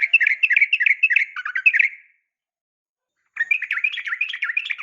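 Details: Sooty-headed bulbul, a female calling males in the morning; two bursts of fast chattering, wavering notes, each burst about two seconds with a short silence between.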